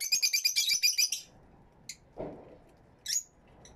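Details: Fischer's lovebirds kept in an aviary, recorded with two external microphones: a rapid run of shrill, high chattering notes for about a second, then scattered single sharp chirps and a brief low rustle.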